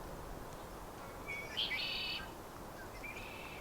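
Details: One of several Red-winged Blackbirds sitting still and calling gives one harsh, buzzy, trilled phrase under a second long, then a fainter rasp, over a steady outdoor hiss.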